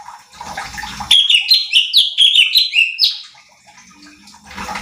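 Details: Bulbul known locally as cucak cungkok, recorded as a training track to provoke other birds: a burst of rapid, stepping, whistled notes lasting two seconds, with soft background noise before and after.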